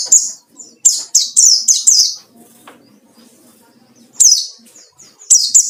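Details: Ngalas-style white-eye song meant to draw out rival birds: bursts of shrill, downward-sweeping twitters grouped in fast strings, a two-second pause, then more sharp high chirps.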